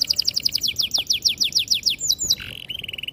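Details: Young-canary training song from a canary: about fifteen quick repeated downslurred whistles, two brief pure notes, then a bright fast rolling trill.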